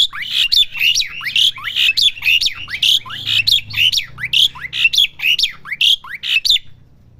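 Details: Young Asian pied starling practising song with repeated scratchy, squeaky notes, each a short rising whistle joined to a rasp, delivered in a fast steady stream for about six seconds.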